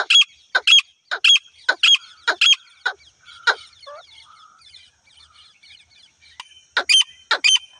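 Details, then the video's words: Calling of a female grey francolin, a voice used in hunting: a rapid run of sharp, rasping doubled notes, a short pause with softer distant bird chatter, then the paired notes resume. "Female Titar ki Shekar ki awaz jangali female Titar ki hunting ki voice"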